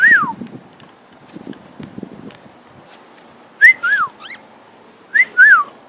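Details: Whistling pet cockatiel, a male, flying: a single arched whistle opens, a long pause with faint knocks follows, then two paired rising-and-falling whistles near the end.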